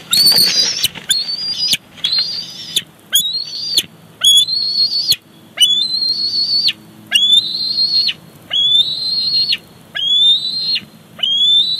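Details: Young bald eagle squees for a fish its mother delivers to the nest at Big Bear Lake in July 2019: a steady run of high whistled notes, each gently rising then dropping sharply, repeated roughly every second.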